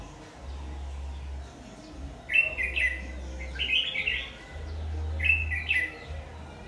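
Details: ['Red-whiskered bulbul, Má lỡ type with a very harsh voice, trapped with a decoy on 22 August 2019; three bursts of quick, clear, warbling whistles, with an intermittent low engine-like drone underneath.']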